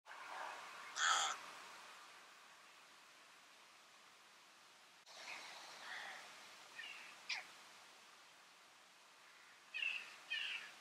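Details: Rook of the nominate subspecies recorded in Flevoland, the Netherlands, in February: scattered harsh, noisy caws, one loud burst near the start and several fainter rasping calls later, separated by quiet background hiss.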